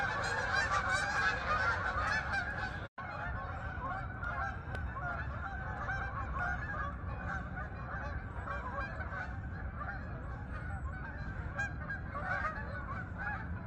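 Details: Flock of geese flying to the fields over Farmington, Connecticut meadows; many overlapping honking calls, loudest in the first seconds, then a steady clamour of irregular honks over low rumbling background noise.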